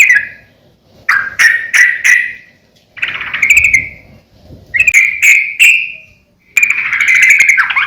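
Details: Sooty-headed bulbul, recorded to train and lure other birds, giving short bursts of bubbly, slightly whistled notes in groups of three or four, with pauses of about a second between phrases.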